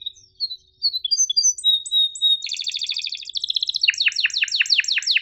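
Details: Sharp 'cuit ngerol' style canary song, recorded to help reluctant singers and young birds learn: scattered high whistles and a held tone, a bright rolling trill, then a rapid series of descending swept notes.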